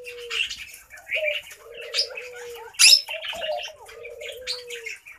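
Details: Laughing dove, also called Senegal dove, cooing: low, soft, bubbling rolled phrases with gentle steady tones between them. Busy high chirping and twittering from other small birds runs through the whole clip.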